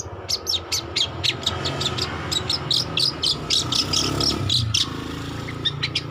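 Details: Young long-tailed shrike, a cendet, still learning to sing: rapid, uneven run of short, sharp chips and scratchy notes, about four a second, with brief pauses; a steady low hum sits underneath.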